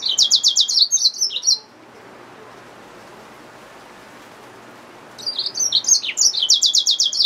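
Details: Yellow-fronted canary mule, a hybrid finch, singing in two bursts of rapid high trills and sweeping whistled slurs, separated by about three and a half seconds of near silence with faint background hiss.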